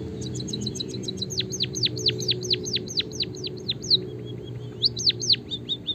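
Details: Chirping of a white-headed munia, played to stimulate caged birds to sing: a burst of thin high ticks, then rapid, slurred notes dropping sharply in pitch about twice a second, pausing before a few more swooping chirps.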